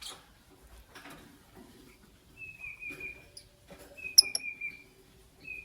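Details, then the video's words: Pet lovebirds, a green Fischer's and a pastel blue, in the morning: several level whistled notes held about half a second each, mixed with sharp high ticks and soft scratching sounds. "Lovebird Chirping Sounds - Green Fischeri & Pastel Blue"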